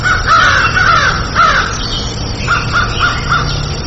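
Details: Crow's short, repeated nasal caws in two runs, the second of four evenly spaced notes, over a strong low rumble and hiss.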